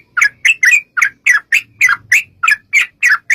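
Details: Bulbul lure recording of a yellow-vented bulbul: loud, rounded warbling notes, each slurring down, delivered in a steady series about three to four per second, with a faint low hum.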